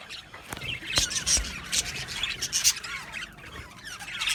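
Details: Budgerigars in an aviary colony, heard a little more softly: scattered squeaky chirps and short wavering warbles that swell in the middle, then thin out into quieter twittering.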